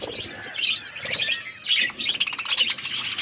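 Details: Budgerigars in an aviary flock, eating; chirpy warbled phrases from several birds come in short bursts about every half second over a background of chatter.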